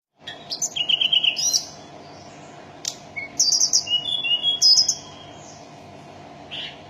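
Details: Mountain tailorbird singing: two bursts of high, thin whistled notes, a quick trilled run followed by sharp upslurred and level whistles, separated by a pause of about a second and a half over faint steady background hum.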